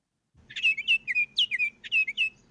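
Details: Baltimore Oriole song: a quick run of rich, flowing whistled notes, several sliding down, with paired phrases over about two seconds, clear and unaccompanied.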